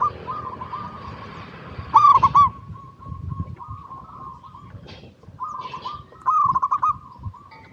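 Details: Local zebra dove song meant to draw replies from other zebra doves; two loud clusters of rapid rolling coos, the second longer, separated by quieter sustained cooing over faint low noise.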